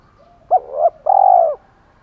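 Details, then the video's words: Spotted dove decoy bird with a thổ pha voice style, giving its fighting call: two short clipped notes, then one long, rough, purring coo that slides slightly downward. "Chim Cu Mồi Giọng thổ pha, thúc đấu rất đỉnh và gáy gọi chất hai"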